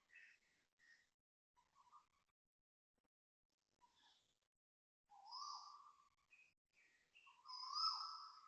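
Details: Dawn calling of Asian koel at Toa Payoh Lorong 8, Singapore, 6.13am, 13 November 2025: scattered soft chips and short notes at first, then two loud vibrato calls, swelling and wavering, in the final seconds.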